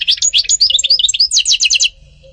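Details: European goldfinch singing: a rapid twittering run of bright, varied high notes, then a short buzzy trill that stops abruptly, leaving quiet low background hum.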